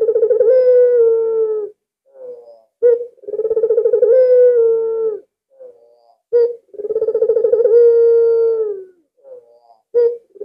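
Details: Albino Barbary dove, a persistent caller used as a decoy to draw other doves into calling, repeating three long rolling coos roughly every three seconds, each linked by soft short notes and a clipped opening note.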